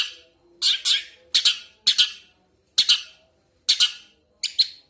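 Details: Long-tailed shrike song: harsh, buzzy two-part notes repeated about once a second, loud and bright, with a faint low hum behind.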